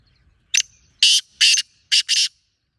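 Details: Loud, close wild black francolin phrase: a clipped first note, two drawn-out harsh buzzy notes, then a quick final pair, in otherwise silent surroundings.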